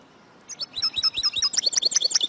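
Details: Female European goldfinch calling to encourage males to sing and become active: after a quiet start, quick high chirps and twittering notes build into a dense, bright run.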